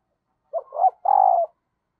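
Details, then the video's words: A single phrase from a female dove calling to excite the male, said to make wild doves respond quickly: a short hoot, a swelling second note and a long, quavering coo that drops at the end, with clean silence around it. "Tiếng Chim Cu Mái Kích Trống, Bổi Nghe Rất Nhanh Nổi"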